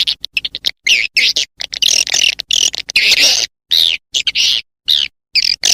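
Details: Lure call to attract swiftlets, 'SP Mama Mudah' style: loud, shrill, twittering chirps with buzzy rising-and-falling notes in repeated bursts, interspersed with short ticks and silences.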